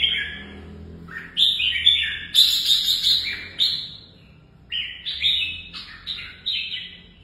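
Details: Caged red-whiskered bulbul being trained for competitive singing: bright whistled phrases of rich, warbling notes that rise and fall, delivered in bursts with short pauses between them, plus a faint low hum in the background.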